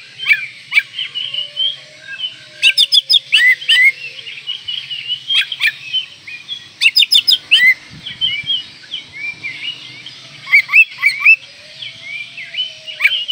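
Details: Oriental magpie-robin in breeding condition, full varied song meant to provoke rivals: rich whistled phrases mixed with bursts of sharp clicking notes, continuous and rapid, over a faint low hum.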